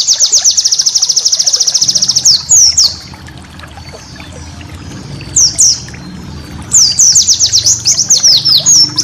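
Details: White-eye master song used for training cage birds, with full 'tembakan' bursts: a rapid, very high buzzy trill of fast repeated notes, a quieter stretch with scattered short chips, then downslurred whistles and another fast trill.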